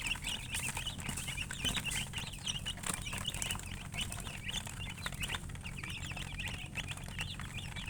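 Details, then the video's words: Chickens chirping with thin, high, repeated peeps, somewhat buried under crackling clicks and a broad background hiss. "silly chicken chirping sounds with murgi hen color chicken"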